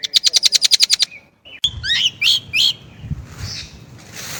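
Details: Chinese blackbird giving a rapid trill of about a dozen sharp notes, then several separate twisting chirps over a rumbling background.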